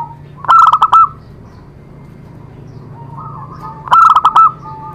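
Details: Zebra dove singing to encourage other doves to sing: two bright phrases about three and a half seconds apart, each a fast stutter of short coo notes, with a soft coo between and a light hum.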